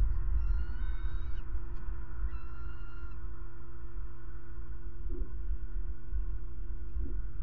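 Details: Bald eagles in Florida: two short bursts of high, squealing chirps in the first three seconds, then only a steady low hum with a couple of soft thumps.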